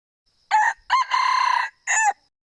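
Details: Single crow from a male red junglefowl, harsh and compact, with an opening note, a rising second note, a long wavering middle and a terse falling finish, and no other sounds.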